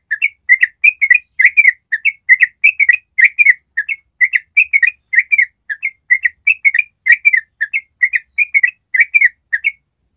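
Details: Long 'ropel' trill of a yellow-vented bulbul, a training recording meant to make other bulbuls answer. A continuous run of chattering, liquid whistled notes bunched in quick clusters, about thirty bursts across ten seconds, with no other sounds.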